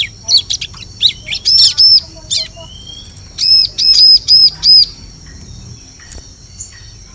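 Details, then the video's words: Bar-winged prinia lure call for trapping birds in forest: sharp high notes in quick groups, then a clean run of five arched, piercing whistles in a row, then quiet with a steady high tone. "Suara Pikat Burung Ciblek"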